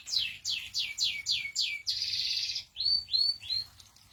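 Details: Canary song phrase: six descending whistled swoops at about three per second, a dense buzzy trill, then three short rising-falling chirped notes, clear and high.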